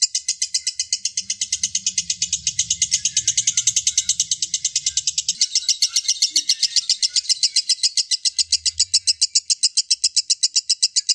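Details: Continuous ngekek from a lovebird, a long chattering song of rapid, even, high-pitched ticking notes repeated nearly four times a second without pause; a soft low rumble sits under the first half.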